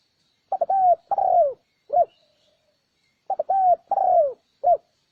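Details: Repeated spotted dove coo phrases used to lure wild doves: stuttered short notes, a drawn-out falling coo, then a single clipped coo, given twice with a pause between.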